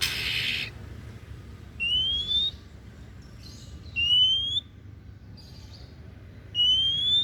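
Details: A noisy burst opens, then the oriental magpie-robin (kacer daput) repeats a long upward-gliding whistle three times at intervals of about two seconds, with soft murmurs between.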